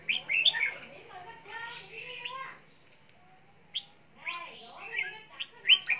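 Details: Red-whiskered bulbul, an ornamental cage bird, singing and flapping its wings; scattered bright whistled notes at the start and end, with a softer, murmured stretch between and a faint hum underneath.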